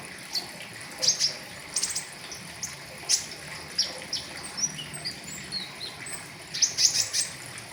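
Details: Flowerpecker known as pentis raja giving a riwikan song packed with fill-ins, used to tutor caged birds; scattered high, sharp chips and brief slurred notes, clustering near the end, against a constant watery hiss.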